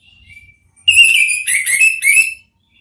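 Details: Ngeplong-style therapy singing of an orange-headed thrush, used to coax another bird into replying: soft thin whistles, then a loud run of rich whistled and warbled notes in three bursts.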